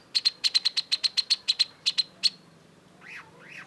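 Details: Long-tailed shrike (cendet) in energetic song: about sixteen crisp, evenly pitched high ticks in fast succession, then two softer, lower arched whistled notes.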